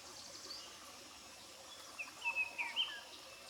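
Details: In early morning in woodland at Gatineau Park, Quebec, Canada, a singing Red-eyed Vireo gives one brief, faint burst of quick whistled notes near the end, over steady woodland hiss.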